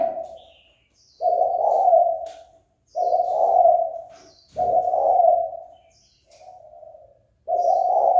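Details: Calling Spotted dove, used to goad another dove into a fight: loud, husky coos of over a second, repeated about every two seconds, with one quieter coo among them. Faint high bird chirps sound behind.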